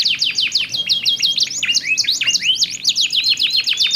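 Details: Duetting canaries singing back and forth with contrasting voices, played to encourage silent or young canaries to sing: rapid rolling series of sharp falling notes mixed with short whistled upslurs, continuous throughout.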